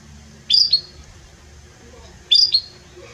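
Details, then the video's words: Belgian canary with a strong, warm song: two brief bright phrases about two seconds apart, each a quick pair of high chirped notes, with quiet low hum between them. "Canto forte e muito quente deste Espetacular Canário Belga | Canary Singing"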